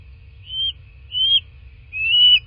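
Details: Bald eagles at their nest in southwest Florida, 15 March 2024 at 09:47, give three high, thin whistled notes about half a second apart. The last is longest and slightly wavering. A steady electronic tone and low rumble run underneath.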